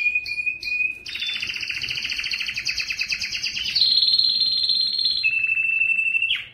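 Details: Belgian canary, strongest song used to attract females for breeding: a few short chirps open into a long, rich buzzy trill, then clear sustained whistled tours dropping step by step.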